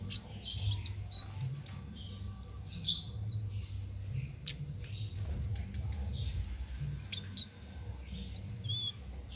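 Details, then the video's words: Ngalas-style singing from a cit keres, a master track for teaching caged songbirds: dense bursts of sharp, high chirps and twisting whistled notes that run on continuously over a constant low background hum. "Cit Keres Nembak Buat Masteran"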